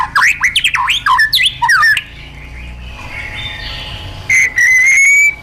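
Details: Wild-style white-rumped shama song for training caged birds. Two seconds of quick, looping whistled notes, then a stretch of faint hiss, ending with one long, steady, pure whistle.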